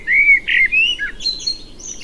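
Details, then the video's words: Blackbird song fragment: a short run of clear, mellow whistled notes that ends in a thin, high, scratchy twitter. "O Canto do MELRO PRETO (Turdus Merula) Bird Song - Blackbird, Mérula"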